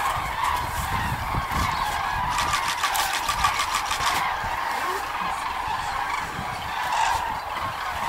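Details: A flock of migrating common cranes in Hungary gives loud trumpeting calls that overlap continuously, with low rumbling wind or traffic noise underneath.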